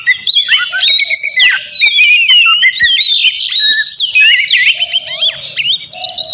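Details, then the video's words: Vigorous, noisy Oriental magpie-robin song meant to goad a rival bird into replying: continuous fast medley of bright rising and falling whistles, twangy slurs and sharp chips with almost no pauses. "Terapi suara KACER GACOR Ribut buat PANCINGAN KACER Lawan Langsung NYAUT"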